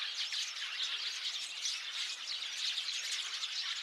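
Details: Crowd of sparrows on 8 February 2024, a short burst of dense, busy chirping and squawking from many birds at once.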